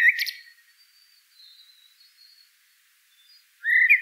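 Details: Common blackbird (Turdus merula) singing, a short loud warbled note with a high squeaky top, a long quiet stretch, then a new whistled phrase beginning.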